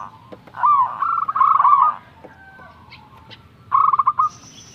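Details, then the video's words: Young local zebra dove (perkutut) in full song, kept as a master recording to stimulate lazy doves to sing. Rolling, trilled cooing phrases with soft pulsed notes, a long burst, a pause, then a shorter trilled phrase near the end. "Perkutut lokal gacor 100%langsung bunyi"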